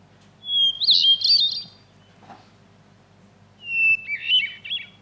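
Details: Two North American Hermit Thrush songs, each opening on a clear held whistle and breaking into a fluttery, ethereal cascade, separated by a pause. The second starts lower, as songs alternate between higher and lower starting pitches.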